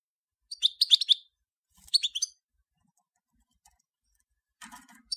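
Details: Major European goldfinch giving two quick twittering phrases of liquid, slightly buzzy notes, then a pause and a brief scratchy rattle near the end.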